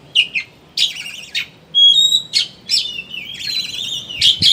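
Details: Oriental magpie-robin chattering lure song, 'ngeriwik' style meant to make birds sing openly; harsh bursts, pure whistled tones and a wavering trill, with a brief low thump near the end.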